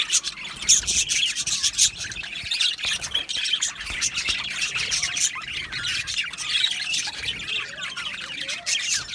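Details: Long stretch of Australian budgies chirping in an aviary colony, an unbroken mix of raspy warbles, squeaks and bright chips from numerous birds.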